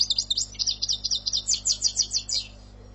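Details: Algerian-style European goldfinch song: a quick string of bright, high, upswept chirps repeated roughly six times per second for about two and a half seconds, over faint low hum.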